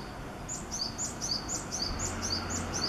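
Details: Japanese tit in busy song, a quick series of high, clear paired notes repeated evenly over faint steady background noise.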